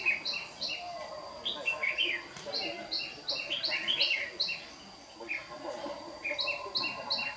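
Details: Red-whiskered bulbul, white-cheeked variety, a decoy bird used for trapping, singing a morning duel on 26 June 2019 while flicking its tail. Short bright chirps repeat in quick runs, broken by richer warbled phrases, over a steady thin high hum.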